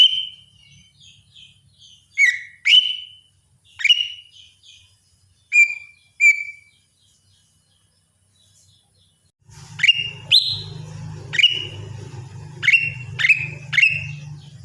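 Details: Lesser green leafbird's morning song: a series of ringing upslurred whistles, some doubled, then a pause and a faster louder run of similar whistles over a low droning hum.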